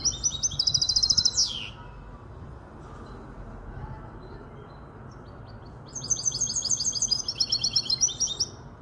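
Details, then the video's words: Five-month-old goldfinch hybrid from Casablanca singing two bursts of rapid, high, metallic trilled notes. The first ends in a downward slur, then comes a quiet pause of several seconds before a longer, chattering run resumes over a low background hum. "تغريد هجين الحسون"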